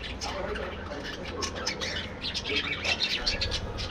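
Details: Aviary budgies calling together: continuous raspy chatter building to a run of loud, rapid squeaks in the final second and a half, with a faint low hum beneath.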